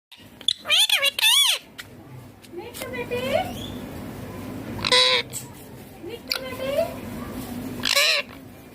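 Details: Green ringneck parrot talking while eating: loud harsh screeches and several wavy, harmonic speech-like phrases in short bursts, with quiet background hum between them.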